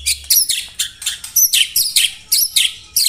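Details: White-rumped shama in 'tembakan rapat' style for contest training: loud, harsh, high notes fired in a steady series roughly every quarter second.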